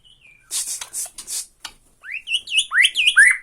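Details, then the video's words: White-rumped shama from Borneo in 'tretekan' style, meant to provoke a rival: harsh broadband bursts first, then a quick run of bright rising and falling whistled notes climbing high. "TRETEKAN MURAI BORNEO MANCING MURAI LAIN"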